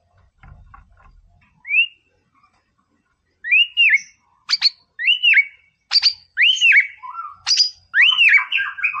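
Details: White-rumped shama in a 'Boomerang' style training song, meant to rile up a rival bird: after a few quiet clicks, clear whistled notes rise and fall in arcs, then build into quick, loud phrases mixed with sharp high chips.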